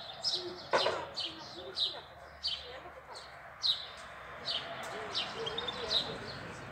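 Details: Goldfinch song recorded in April: a steady series of sharp, high chirping notes, each slurring downward, spaced roughly every half second over soft background hiss.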